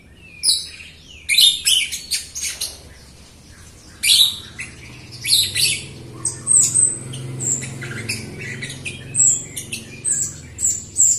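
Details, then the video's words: Jalak Rio myna, a lively singer used to draw song from other Jalak Rio birds that are new or slow to sing. It gives a long run of scratchy, chattering bursts and squawks, interspersed with high sharp whistles. "JALAK RIO GACOR untuk pancingan RIO RIO BAHAN OMBYOKAN & MALAS BUNYI"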